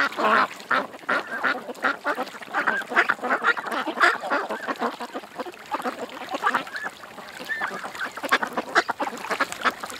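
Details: Ducks at a creek chatter in a long, dense chorus of quacks, loudest at the start and around four seconds, easing slightly before rising again near the end.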